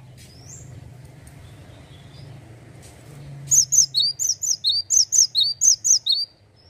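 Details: Male gelatik batu (cinereous tit) singing the ngeplonk style: after a soft, low-humming start, about six clear paired whistles, each a sharp high note slurring down to a lower one, evenly spaced.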